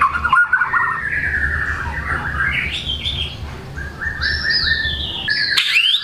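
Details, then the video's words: White-rumped shama, a caged bird in full song performing varied material, used to coax silent birds into singing: rich whistled phrases gliding between low and high notes, with trills and sharp rising sweeps, over a low steady hum. "MURAI GACOR BONGKAR MATERI, PANCINGAN MURAI MALAS BUNYI AGAR GACOR"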